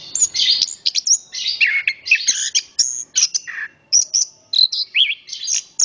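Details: An orange-headed thrush sings energetically, with dense scratchy warbles, buzzy notes and clear whistles run together in rapid bursts across about six seconds.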